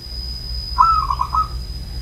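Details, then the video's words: Old local zebra dove from Banyumas giving a single soft trilled coo, a short warbling phrase with a few beaded notes, over a steady high electrical whine and low rumble. "Menikmati Anggungan Perkutut di Usia Tua"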